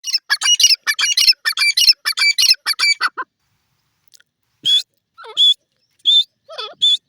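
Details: Grey francolin, known locally as teetar, calling: a fast burst of harsh, shrill notes for about three seconds, then a pause and several separate loud, piercing notes mixed with lower warbling sounds.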